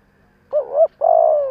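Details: Spotted dove kept as a decoy bird to lure wild doves, giving one phrase: a short two-humped coo, a brief gap, then a longer steady, slightly falling hollow coo.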